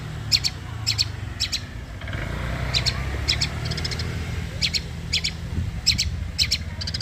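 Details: Blangkon long-tailed shrike sunbathing at midday: rapid clusters of dry, ticking, high chatter notes in short bursts, set against steady low traffic-like rumble.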